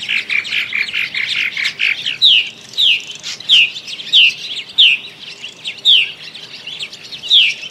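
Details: Purple martins announcing their arrival in early spring, circling nest boxes as they seek cavities and mates; dense chirping chatter at first, then sharp downslurred chirps repeated about every half second to second.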